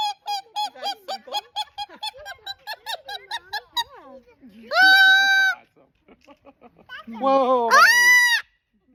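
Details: A pet cockatoo calling loudly in public: quick rhythmic squawks, then two long, loud, drawn-out screeches with softer chatter between them.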